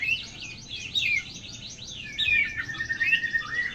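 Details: Oriental magpie-robin singing a continuous rapid warble of high chattering notes, interspersed with clear whistled downslurs and short rising whistles.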